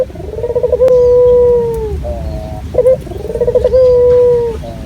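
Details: Local puter dove calling as a lure, a clear and natural voice. Each repeated coo begins with a short burbling trill and stretches into a long, level, gently sinking tone. A brief rolled note comes between phrases, over faint background noise.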